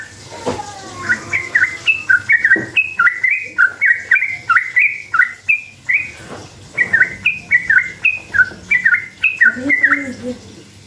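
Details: Sooty-headed bulbul lure song in continuous gacor style: around twenty chirpy, up-and-down note groups delivered in fast succession over eleven seconds, with a brief low wavering call at start and end.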